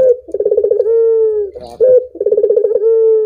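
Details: Collared dove (puter) giving a call meant to get other doves singing: quick throbbing pulses lead into a drawn-out, smooth low coo. Two full phrases sound with a brief rougher note between them.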